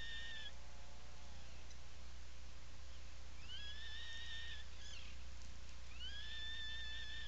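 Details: Nesting burrow of Atlantic puffins on Seal Island National Wildlife Refuge, Maine, 17 July 2018, afternoon: faint low wavering notes, then two upswept, drawn-out whistled calls separated by short rough sounds, with a continuous low hum.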